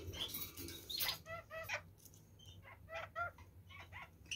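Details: Red-fronted parakeets eating carrots give short harmonic chattering notes in quick bursts, grouped in pairs and triplets, with soft rustling and low background rumble.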